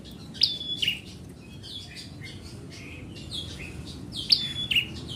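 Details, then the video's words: Bar-winged prinia, called ciblek merah, in lively song: two sharp high whistled phrases ending in piercing chips, about four seconds apart, separated by faint high twitters over a soft low rumble. "Ciblek merah Gacor"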